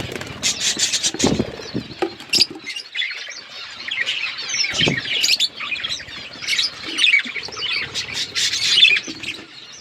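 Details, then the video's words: Budgerigars in a flock chirping: overlapping high warbles and chattering notes, with a few low thuds and brief quieter gaps. "Budgies flocks birds chirping sounds"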